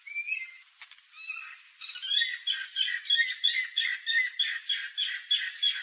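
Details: Guira cuckoo in Bogor, Indonesia, gives harsh, rapid, high, grating squawks, about three per second, after a few thin whistles at the start.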